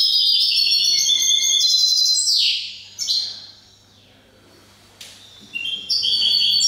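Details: Caged European goldfinch at an indoor song contest for goldfinches and their hybrids in Cádiz, Spain, April 2019; high liquid twitters and sweeping downslurs in bursts, broken by a near-silent pause before singing resumes.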